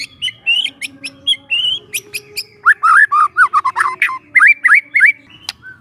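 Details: Relaxed lure song from a young forest white-rumped shama: scattered high clicks and short whistles lead into a dense run of warbled, twisting phrases and a set of repeated hooked whistles.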